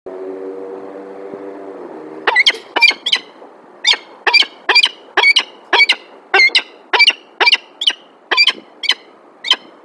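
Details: Female peregrine falcon at a nest site in Alphen aan den Rijn, Netherlands, on 9 December 2022. There is a low hum at first. Then come about fourteen sharp, harsh, high calls, about two a second, with slightly uneven spacing.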